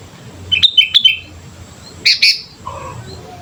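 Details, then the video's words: Sooty-headed bulbul lure song for training: a few quick chirped notes, then a pair of sharper buzzy chirps and a softer lower note at the end. "pancingan suara burung kutilang gacor"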